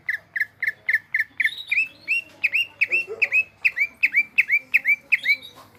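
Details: Caged greater green leafbird in Indonesia in gropyokan mode, delivering a steady stream of loud, clipped chirps, then hooked whistled notes repeated rapidly and evenly, with a brief low squawk in the middle.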